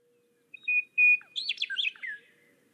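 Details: Western meadowlark song, heard at Kankakee Sands, Newton County, Indiana, in summer and likened to R2-D2: two clear, flute-like whistles, then a quick bubbly, gurgling jumble of tumbling notes, all within two seconds.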